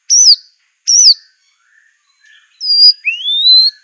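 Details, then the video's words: Aceh white-rumped shama, a recording meant for training birds: two sharp, falling whistled notes, a pause with faint soft notes, then a long rising pure whistle. "MASTERAN MURAI BATU ACEH"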